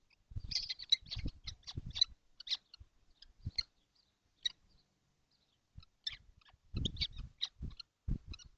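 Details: Kestrels in a nesting box, seven birds on a hot day, 12 June 2025; a dense run of thin, harsh high calls mixed with low thumps and scuffling from movement in the box.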